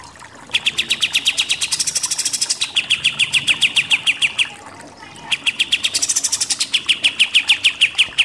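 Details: Pied triller, kapas tembak, in rapid 'nembak-nembak' shooting song: fast strings of clipped notes repeated over three times a second, broken by high buzzy rises, with a short gap before the trilling resumes.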